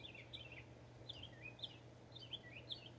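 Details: Texas northern mockingbird song of bright chirped phrases, each a quick down-slurred twitter, repeated roughly every half second with small variations, against a constant low electrical-sounding hum.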